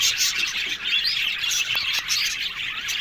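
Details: Aviary colony of budgies: many birds chattering together, rapid high chirps and short whistled notes layered into a constant busy murmur.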